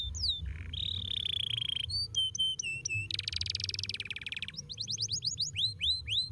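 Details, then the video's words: Tutor canary singing to train a young canary to roll: varied phrases of high whistles, a dense buzzy rolling trill, then a quick series of arched chirps, with a faint low background hum. "terapi bunyi kenari paud agar cepat ngeroll dengan pancing kenari"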